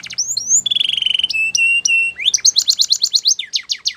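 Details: Canary training song with rising slurs, flat whistled notes and a quick run of sharp trilled notes, over a faint low hum.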